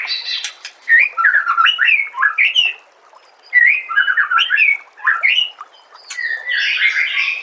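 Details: White-rumped shama song from a masteran compilation for training songbirds: bursts of rich whistled, warbling phrases swooping between low and high notes, in three groups separated by short pauses, with harsh buzzy notes mixed in.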